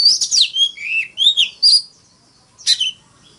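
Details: Oriental magpie-robin decoy fighting song: a fluid string of whistles dipping and rising, clear sweet notes running together, then a pause and one sharp, ringing burst.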